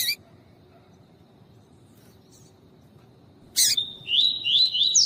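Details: Double-collared seedeater (coleiro tui tui), singing with a female calling, used to stimulate males: a sharp high chirp opens, then after a silence a quick burst of bright, high, warbled notes with rapid buzzy trills.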